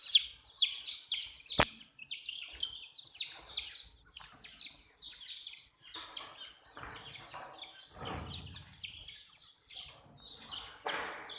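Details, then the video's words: Chicks drinking water, with overlapping high-pitched descending peeps at a quick, uneven rate, a sharp tap early on, and scattered rustling and knocking later. "MURGI Baby "CHICKS CHIRPING" Sound"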